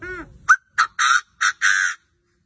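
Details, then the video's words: Chinese francolin crowing: a soft low tonal note, then five harsh, loud, broadband notes over about one and a half seconds, short, short, long, short, long, with silence between them. "Báo quá báo, đa đa mà gáy như thế thì thì bổi sao mà dám về"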